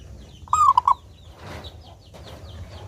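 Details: Singing local zebra dove with a clear voice, used to encourage doves to sing: a single cooing phrase, a rising note then two quick clipped notes, followed by a noisy rustle and faint chirping of small birds.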